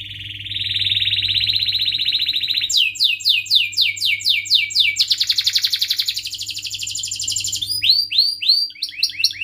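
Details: Canary used to coach young canaries gives a long rolling performance: a sustained high buzzy trill, a run of sharply falling whistled notes, another dense roll, then quick looping chirps, with a steady faint hum beneath.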